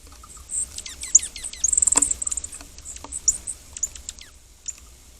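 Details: Off-camera dark-eyed junco, a winter resident, at a backyard deck feeder at dawn during a January 2026 snowstorm in the eastern US: sharp, high, downward-sweeping laser-like chirps in quick bursts, with faint bird ticks.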